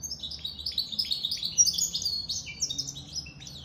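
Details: Rapid, jingling high-pitched twittering from a goldfinch × canary mule, notes tumbling in quick succession with little pause, low hum in the background.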